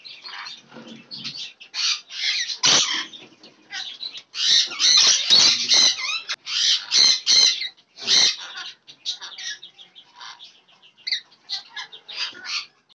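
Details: Several lorikeets feeding on apples in a fruit meal screech and chatter in harsh, high bursts, overlapping in rapid irregular runs with brief pauses between.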